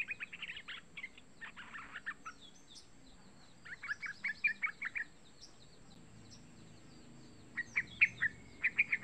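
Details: Young Yellow-vented bulbul (Pycnonotus goiavier) call, used as a lure to prompt other bulbuls to sing, gives bursts of bright, bubbly chirps around 2–4 kHz in clusters every second or two, with a faint steady hiss.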